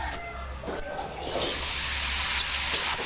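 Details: Kolibri ninja (Javan sunbird) singing in the morning dew: sharp high chips, then three slurred descending whistles in quick succession, followed by more high chirps.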